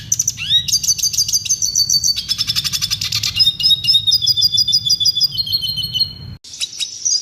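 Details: Clear, clean red siskin song played to tutor caged birds; fast buzzy trills and rattling note series with high whistled slurs, continuous and energetic, a faint low hum beneath.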